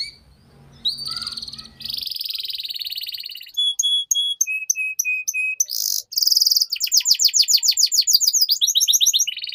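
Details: Canary song serving as a model for young canaries: a long buzzy trill, evenly spaced flat whistles, a short loud burst, then a rapid pulsing trill of bright notes. Faint low noise at the start.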